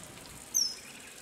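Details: A Common kingfisher, recorded in May and January 2024, gives one brief, shrill, very high whistle that dips slightly in pitch, against a soft outdoor background hiss.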